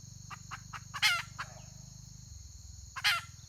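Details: Red junglefowl hen, recorded 31 May 2023: a few quiet clucks lead into a loud harsh rasping call, more soft clucks, then another rasping call two seconds later, under a continuous high whine and low hum.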